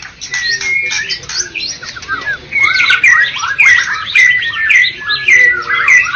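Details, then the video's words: White-rumped shama, first-place contest winner from Medan and Java: scratchy chatter, then a run of clear downslurred whistles repeated about twice a second amid busy warbling. "Murai batu Medan dan Jawa Juara Satu Pemenang Lomba Bird Copsychus malabaricus Suara Burung"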